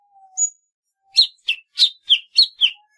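Golden-fronted Leafbird song: a soft low whistle and a thin high note, then six quick harsh, buzzy chirps about three per second.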